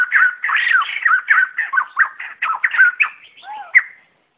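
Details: Flock-gathering call of white-crested laughingthrushes, a clean lure recording: a fast, tumbling string of loud, slurred whistles and chatter for about four seconds, ending with a few lower, hooked notes.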